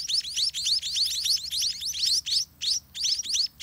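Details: Scaly-breasted munia chicks, well grown and fed by their parents all day in a dirty nest, give thin, high, rising cheeps in a rapid, jumbled stream, several notes per second, with brief pauses near the end.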